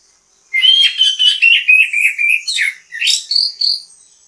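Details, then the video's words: Orange-headed thrush bait song to draw other birds into song: a continuous loud run of clear whistled notes, repeated about four per second, wavering in pitch and closing with higher sweeping phrases. "ANIS KEMBANG GACOR MEMBUAT ANIS KEMBANG IKUT BUNYI, PANCINGAN ANIS KEMBANG"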